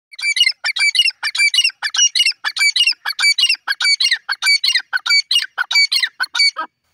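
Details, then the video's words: Grey francolin, known locally as dakhni teetar, calling loudly: a fast series of harsh, strident, ringing notes, about one and a half per second, each with layered overtones, continuing without a break and ending abruptly. "dakhni teetar bird ki awaaz,teeter lovely sound"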